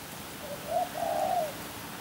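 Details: Spotted dove cooing: a soft, low hooting phrase. A short first note is followed by a longer, slightly wavering coo lasting about half a second, over quiet background hiss.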